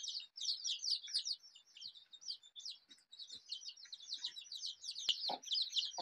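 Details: Many colourful desi chicks give rapid, high, overlapping peeps, roughly two or three each second. One sharp click and a brief low sound come near the end.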